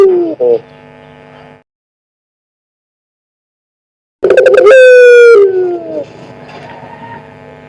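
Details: Collared dove (burung puter), a one-year-old pelung-type bird, giving a lure call: a single loud, low, hoarse coo that slides downward, with a steady electrical hum in the quiet parts before and after.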